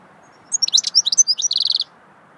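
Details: Short goldfinch swittey phrase of bright, rapid, high-pitched chirps rising and falling, ending in a quick buzzy trill, over a quiet background.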